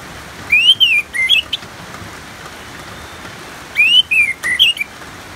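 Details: Ngeplong-style song of an orange-headed thrush mixed with rain: two loud whistled phrases about three seconds apart, each a smooth rising-falling slur followed by short chirpy notes, against soft constant rain noise.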